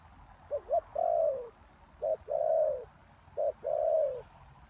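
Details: Lure spotted dove used to draw in wild doves. It gives three hoarse phrases in quick succession. Each phrase has a short clipped note or two, then a drawn-out, gently falling coo. The background is calm.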